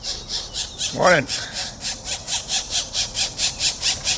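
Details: Pileated woodpecker chicks being fed, April 2024, keep up rhythmic raspy begging pulses several per second; one sliding squeal cuts in early, and people speak softly nearby.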